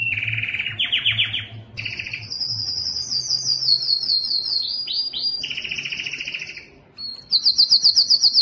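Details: Yellow canary singing a rolling trill, swooping notes, high fast trills, a brief pause, then rapid repeated bright chirps.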